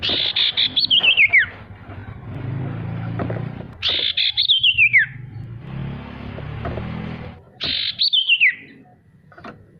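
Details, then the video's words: Male sirtu song used as a lure to get lazy, quiet birds singing: a high trilled phrase sweeping downward in pitch, repeated roughly every three to four seconds, with a low rumbling hum underneath. "Suara sirtu untuk memancing burung pemalas bunyi agar bisa rajin mau bunyi"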